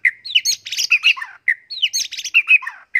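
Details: Contest white-rumped shama with a full-garden repertoire of learned fill-in phrases, used as tutor song: fast varied high phrases of slurred whistles, buzzy notes and rapid trills, the same sequence sung twice in three seconds.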